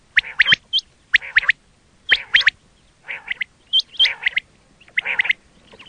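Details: Quail, recorded as a fresh sound for use in hunting, calls in quick bursts of harsh, buzzy notes with sharp whistled upslurs, repeated about once a second for six phrases.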